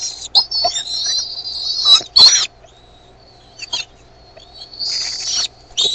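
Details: Bald eagle eaglets in the Decorah nest on 13 May 2015 at 6:35 PM CDT, growing noisier as their mother brings in food; high, thin, drawn-out squealing calls in bursts with short sharp chips between them.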